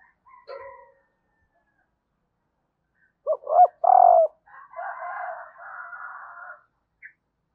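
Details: Spotted dove hen calling to rouse males: two brief rising coos lead into a longer, fuller note, then a raspy drawn-out hum follows for about two seconds.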